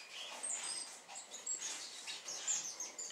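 Great tit giving short, high, thin chips and harsher buzzy bursts, repeated roughly every half second, over a faint hiss of background noise.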